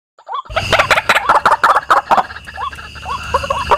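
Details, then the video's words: White-breasted waterhen calling, used as a lure to attract birds: a few rising whistled notes, then a dense run of loud harsh croaking calls, followed by more upslurred notes. "Suara Pemanggil Ruak-ruak"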